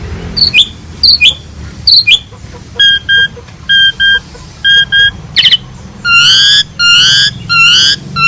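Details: Asian pied starling singing energetically in a master recording for training other birds: short dipping whistles repeated about once a second, then paired clear tonal notes, ending with long buzzy, wavering phrases.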